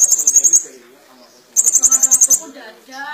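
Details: Van Hasselt's sunbird singing actively with mimicry: a short high buzzy trill, a pause, then a longer burst of rapid piercing notes, followed by lower tonal sounds.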